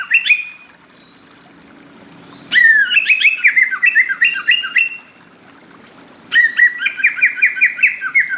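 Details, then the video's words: Greater green leafbird singing two long, varied phrases of quick, chattering chirps and short slurred whistles that bounce up and down, with a brief call at the start and a faint hum behind. "cucak ijo gacor"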